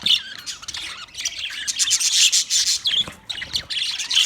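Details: Budgies chirping for a lonely bird: dense, loud, scratchy warbling and rapid twittering notes come in uneven waves, with sharp high chirps at the start and end.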